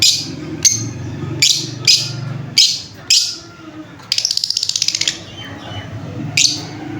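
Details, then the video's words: Lovebird chirping indoors: sharp, high screechy chirps in bursts every half second to second, plus a rapid rattling buzzy trill near the end, over a low room hum. "Love bird chirping sound"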